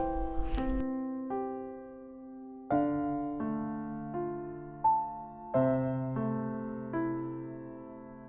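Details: Soft electric piano chords ring out and fade, with no animal calls heard.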